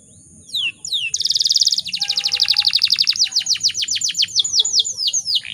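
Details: A few sliding high notes, then a loud buzzy roll running into an accelerating series of sharp downswept chirps, from a female canary calling to stir males into singing.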